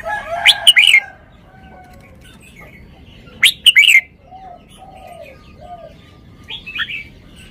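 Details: Red-whiskered bulbul displaying its song: loud, jaunty phrases of clear whistled notes repeated about three seconds apart, followed by a softer phrase, with gentle low whistles from other birds in the background.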